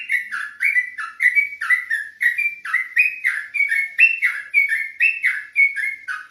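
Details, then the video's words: Night song of an olive-backed tailorbird: brisk series of downslurred whistled notes in pairs, rising and falling slightly, repeated without pause throughout, clean with no other sounds. "ropelAn trucuk malam hari"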